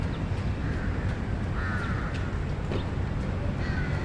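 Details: In a Bangkok park, a group of crows calls with short harsh caws spaced about a second apart, half-buried under a constant low roar of distant traffic.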